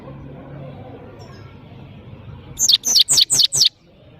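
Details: European goldfinch from Parachinar, locally called saira, singing: after quiet background hum, a burst of five bright, rapid, downward-sweeping high notes repeated about four per second.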